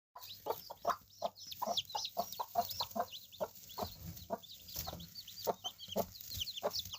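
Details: Three hens with seven chicks calling together: low, short clucks repeat roughly every half second while the chicks keep up a steady stream of thin, high peeping chirps over the top.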